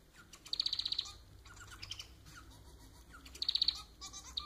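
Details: Domestic society finch (Lonchura striata domestica) song: two bursts of rapid, high, buzzy ticking notes about three seconds apart, linked by softer chirps and twitters.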